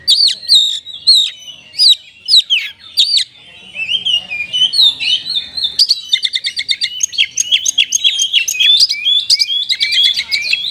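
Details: Kapas tembak–style kacer isian sung by an oriental magpie-robin: loud whistled upslurs, a softer warbled middle, then a long rapid chatter of clipped notes repeated several times a second.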